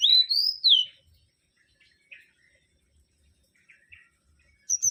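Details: Mangrove whistler (Pachycephala grisola): a loud, ringing whistle that swoops upward, then down, lasting under a second. Scattered soft chips follow, and a sharp high note closes the recording.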